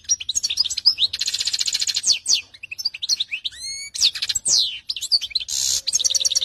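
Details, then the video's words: Varied canary song mixing rapid trills, sweeping whistled slurs and sharp chirps, changing phrase every second or so. "Australia. Canary"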